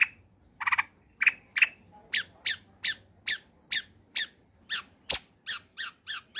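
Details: Combination lure recording of an energetic long-tailed shrike, meant to coax silent birds to sing: a few low harsh squawks, then a long even series of about fifteen loud, high, rasping notes.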